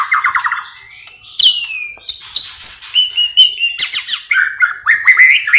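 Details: White-rumped shama song with varied imitations: quick repeated low whistles, a long sliding downward whistle, then mixed rising and chattering high phrases.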